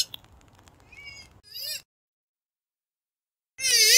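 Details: Purple swamphen call of the kind used as a hunting lure: low clicking and handling noise, then a short nasal squawk, silence, and a loud wavering wail beginning at the close.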